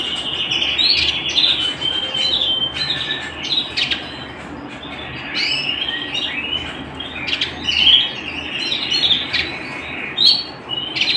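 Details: Canary singing at home, a bright high warbling song of rapid trills, whistled notes and short upward sweeps, continuous with brief louder bursts near eight and ten seconds; steady faint background hiss.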